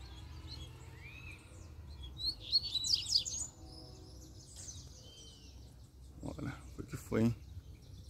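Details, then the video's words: Double-collared seedeater in the wild giving a brief, high twittering song burst with quick slurred notes, followed later by a human voice and a faint single whistled note. "COLEIRO SOLTO FORTE CHEGOU PICANDO CANTO!!!"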